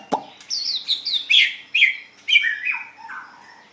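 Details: White-rumped shama in a singing contest, with a sharp click then a tumbling sequence of descending whistled notes stepping from high to lower pitch.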